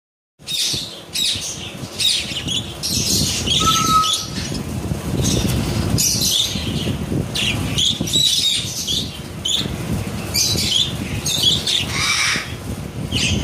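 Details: A flock of red-eyed Japanese Hagoromo (helicopter) budgerigars chatters with harsh squawks and scratchy warbles over fluttering wings and a low rumble; Budgerigar.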